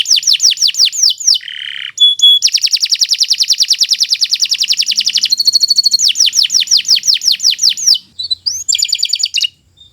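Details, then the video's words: Nusantara canary song used as a tutor recording: bright descending whistles, a long rapid buzzy trill, then more falling whistle notes and short sharp chips. "Kicau Burung Kenari 173 II LUAR BIASA GACOR PANJANG Cocok untuk Masteran"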